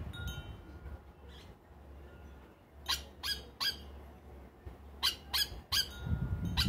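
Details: Yellow Oriole, known as Plantain bird, feeding at a feeder in Trinidad at dusk. Two rapid bursts of three harsh, scratchy notes each are separated by a short pause. A low hum runs underneath.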